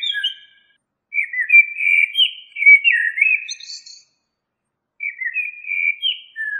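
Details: Blackbird singing in separate bursts: a short phrase, a pause, then a longer warbled whistled strophe ending in a thin high squeaky flourish, and another phrase after a gap.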